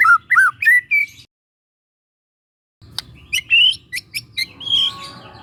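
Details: Young forest White-rumped shama used for training gives a few looping whistled notes, falls silent, then returns with sharp clicks and a higher whistle over faint background hum.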